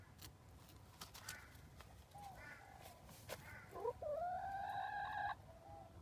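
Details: A whining chicken: soft scattered clucks and short notes lead into one long, drawn-out tonal whine that climbs briefly and holds steady for over a second before stopping abruptly, with quiet background noise.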